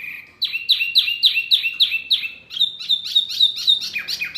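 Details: Masteran song aimed at caged Murai, Kacer, Cucak ijo and jalak: after a brief soft opening, a burst of loud descending whistles about four per second, then a fast, level chattering trill.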